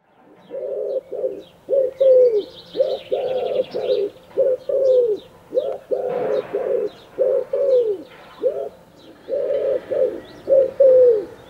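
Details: Common wood pigeon cooing while courting its female: a long run of short, soft, hollow coos, some with a falling tail, repeated steadily for about eleven seconds, with faint high chirps from other birds in the background.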